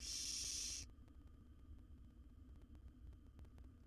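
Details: Wild barn owl chick in a nest box as it gulps down a rat; a harsh hissing burst at the start, cut off, followed by quiet humming background.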